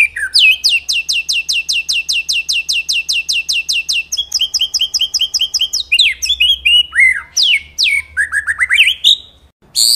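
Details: Caged white-rumped shama singing a long series of rapid downslurred notes, followed by varied sweeping whistles and slurred phrases with short gaps.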